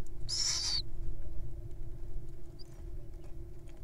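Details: Wild little owls at feeding time, showing off their appetites: one loud, breathy, hissing screech lasting about half a second, then a faint chirp and steady low background rumble.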